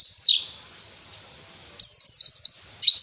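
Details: White-eye, used to prompt lazy captive birds to sing, giving two short bursts of very high, fast twittering separated by about a second of near-quiet.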